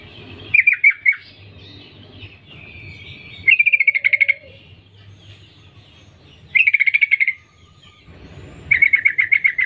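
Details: Female sooty-headed bulbul calling to attract males: four short bursts of rapid, pulsed, chattering notes, each under a second, repeating roughly every three seconds, over a faint low hum.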